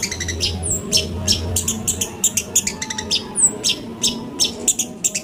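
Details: Long-tailed shrike (pentet) lure song meant to make a bird sing. Rapid, irregular bursts of dry, scratchy chatter mixed with thin, high whistled slurs, about three per second, over a steady low hum.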